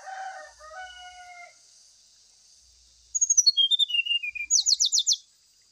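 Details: Brown-chested jungle flycatcher lure song used in morning dew sessions to make a bird sing: soft whistled tones first, then after a pause a descending series of sharp notes ending in a rapid buzzy trill, over steady hiss.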